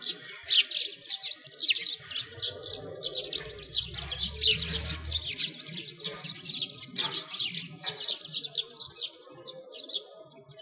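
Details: Sparrows in a winter flock by a frozen lake in Bratislavsky Park, Moscow, Russia, heard on a walk: dense, overlapping high chirps and tweets pour out continuously, with a low rumble in the background for a few seconds.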